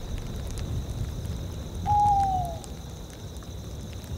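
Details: Tawny owl (Strix aluco) in a tundra soundscape: one clear, mellow hoot that holds steady then slides slightly downward, over a steady rain-like hiss and low rumble.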